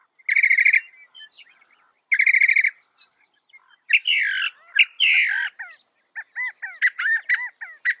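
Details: Mockingbird song of changing phrases: two short rapid rattles, then harsh rasping squawks, followed by a series of quick whistled upslurred notes repeated several times.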